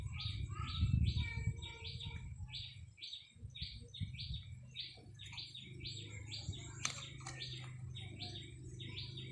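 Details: Caged decoy red-whiskered bulbul recorded 30 April 2025, delivering a fast, even series of clipped high chirps with softer lower notes between them, a single click near the end, and a low rumbling background.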